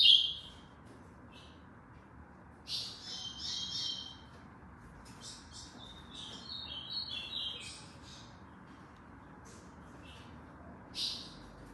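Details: Ultramarine grosbeak bred for song tournaments in Aracaju, Sergipe, Brazil: scattered sharp high notes and short bursts, with a quiet warbled phrase in the middle, among light clicks and a steady background hiss.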